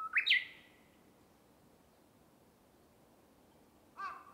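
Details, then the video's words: Japanese bush warbler singing in a bamboo forest: a loud, sharply rising flourish opens, trailing off into a fading higher tone, then near silence before another phrase begins with a bright burst at the end. "Japanese Bush Warbler (Uguisu) singing"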